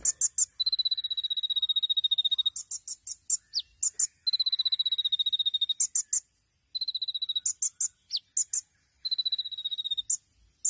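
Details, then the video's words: Champion olive-backed sunbird (kolibri ninja) singing masteran-style 'tembakan' song: long steady high whistled trills alternating with short sharp clustered chirps and brief downslurred notes, repeated in bursts with short pauses. "MASTERAN KONIN TEMBAKAN MEWAH | SUARA BURUNG KOLIBRI NINJA JUARA"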